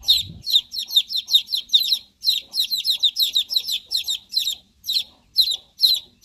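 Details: Chicks give a steady stream of piercing, high peeps, roughly two per second, each note sliding downward. A brief low thump opens the recording.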